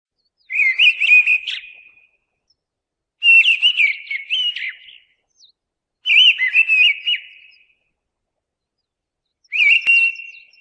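Mistle thrush singing four short, loud, fluted phrases of warbling whistles, each about a second long, separated by pauses of a couple of seconds.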